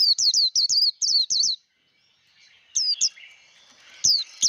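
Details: Líu đấu song of a Japanese white-eye, used to train wild-caught birds: a brisk series of about eight shrill, down-slurred notes over a second and a half, a near-silent gap, then scattered single chirps.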